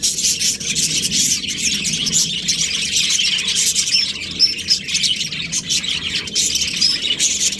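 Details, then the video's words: Chirping from a breeding pair of Australian budgerigars: a steady stream of high, bright twittering with a few thin whistled chirps standing out, over a soft low hum. "Australian budgies breeding pair | Budgies chirping sounds"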